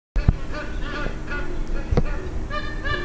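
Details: Magpie geese honking at the end of the dry season in Darwin, where thousands gather on irrigated greens; overlapping harmonic honks, several birds calling together, with low rumbling background noise and a couple of knocks.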